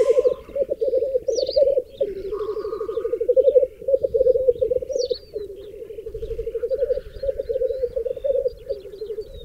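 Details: ['Lekking black grouse males on a raised bog in the Berezinsky Biosphere Reserve, where up to 30 males and 20 females gather; a continuous low, pulsing bubbling coo runs throughout, with faint higher chirps above.']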